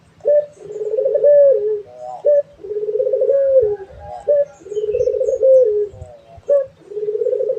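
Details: Barbary dove (puter) calling actively: a short, bright opening note then a long wavering, throbbing coo that falls at the end, the phrase repeated about every two seconds, four times in a row.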